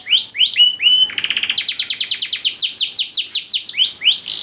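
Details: Ornamented canary tutor song: brief whistled notes open into a quick rattling trill, which slows into a steady run of bright, falling chirps.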